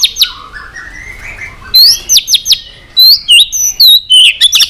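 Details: White-rumped shama singing excitedly in many voices: a soft warble gives way to loud, rapid high whistled notes and sharp looping phrases repeated several times a second.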